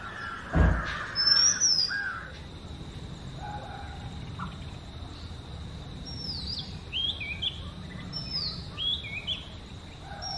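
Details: Oriental magpie-robin singing naturally, a varied run of clear whistles, some dropping and some stepped, grouped in the second half, after a loud knock near the start; a steady high tone and quiet background.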